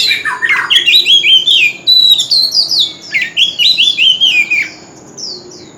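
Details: Oriental magpie-robin, a mature wild bird, singing loudly across a street corner: a long, lively string of sweeping whistles and warbles that ends in a couple of quieter high notes.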